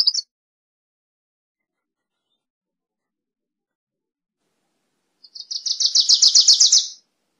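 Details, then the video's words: Wilson's warbler: a brief note fragment opens, then after a long quiet pause a fast, loudening string of high, dry chip notes forms a trill of roughly a second and a half. "Wilson's Warbler Song! Wilson's Warbler Call! Sound!- Reinita De Wilson Canto"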